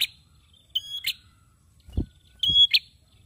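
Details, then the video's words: Male prinia in lively song: two phrases, each a flat high whistle closing with a crisp click, plus a couple of low dull thumps in between. "PRENJAK JANTAN BAGUS,GACORNYA BIKIN NGILER"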